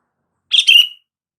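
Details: Sooty-headed bulbul call meant to prompt silent bulbuls into answering: one brief half-second phrase of rich chirps running into a falling, slurred whistle.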